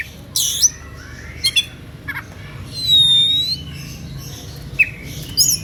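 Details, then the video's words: Oriental magpie-robin singing an emotional, varied song meant to provoke listening rivals into answering: short harsh broadband bursts, a long clear whistle arching near the middle, and scattered sharp chips, with quiet pauses between phrases. "SUITAN KACER NGEPLAY EMOSI MEMANCING LAWAN IKUTAN BUNYI"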